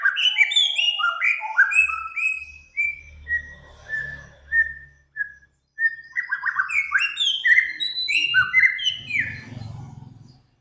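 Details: Cage-bird training master recording of mixed songbird song, with samyong, Kancilan Flores and garugiwa named: clear whistled notes sliding down in quick runs, a short pause, then rapid rising chirpy phrases, with a low hum underneath.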